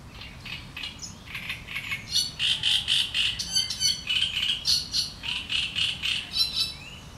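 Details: Great reed warbler singing in reeds: a loud, harsh, sharp chattering song of rapid grating notes, about four per second, with a low background rumble.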